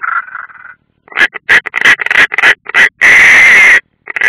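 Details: European rollers at their nest in the Ādaži training ground, Latvia, 30 June 2016, one unringed: a short buzzy rattle, a pause, then a quick series of rough croaks ending in a drawn-out harsh screech.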